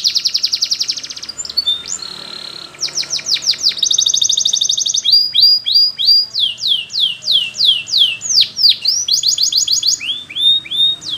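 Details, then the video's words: Belgian canary song with a fast high rattling trill, a held buzzy tone, then a long series of loud downward-sweeping whistles repeated about three per second, ending in more rapid trills. "The Belgie Canary's Seduction for the Canaries to Stop Sounding"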